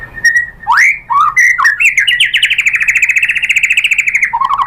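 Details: White-rumped shama song meant to stir other birds into singing: a few swooping whistles, then a long fast rattling trill held on one pitch before a lower closing note.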